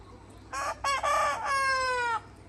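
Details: Red Mía rooster, free-range with his hens, gives a full crow: two short rough syllables, a louder third, then a long steady drawn-out final note lasting about 0.7 second, over a quiet background.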